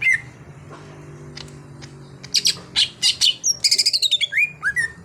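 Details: Green leafbird in a cage, untrained and being coaxed into song, starts quietly, then breaks into rapid bursts of buzzy chirps, a long descending high trill and falling whistles, with low humming throughout.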